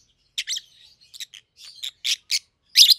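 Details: Captive peach-faced lovebirds, a bonded pair of 7-8 month old birds in red-headed green opaline and red-faced dark green; scratchy chattering chirps, soft twitters building to a loud shrill burst at the end.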